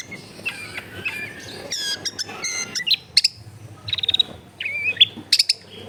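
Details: Long-tailed shrike singing as a lure for birds that will not sing, recorded at a house in a crowded neighbourhood: a varied run of harsh rasps, clicks and thin whistles, ending in sharp high notes and a brief warble.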